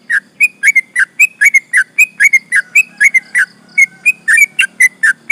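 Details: Long rolling song of a sooty-headed bulbul, used to provoke opponents: quick run of warbled, slurred chirps, some paired, continuing steadily with only brief gaps.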